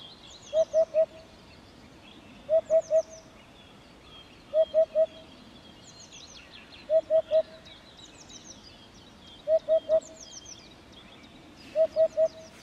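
A Eurasian hoopoe repeats its soft, low hollow 'oop-oop-oop' in triplets about every two seconds, with thin high chirps of other small birds behind.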